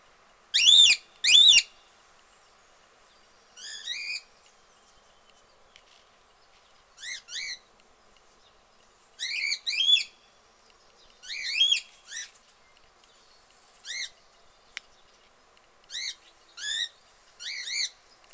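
A drowsy cockatiel gives soft, short chirps with a rising-falling lilt, spaced irregularly.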